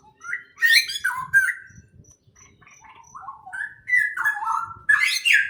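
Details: Birds chirp in a greenhouse with loud squeaky slurred notes in clusters, while a faint high ticking beep repeats evenly in the background over low rumbling noise.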